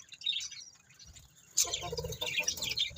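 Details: Budgerigars twitter softly, then burst into louder, dense scratchy chattering after a brief pause, with low rustling underneath.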